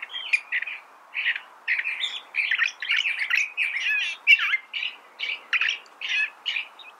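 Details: Lively, sustained California thrasher song, dense with rapid varied phrases, rough chatters and looping warbles delivered almost without interruption.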